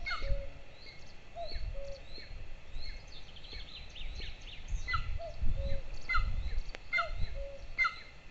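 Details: Golden eagle chicks, a pair at a camera-watched nest in Lahemaa, Estonia, on 22 June 2024 at breakfast time: irregular high piping and short slurred notes, some overlapping, with deep background rumble and a faint click.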